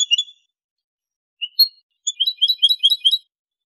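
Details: Male European goldfinch kept in a cage in Morocco, 2023, clean 'limpio' singing: a brief twitter, a rising two-note chirp, then a fast run of tinkling trilled notes on a silent background.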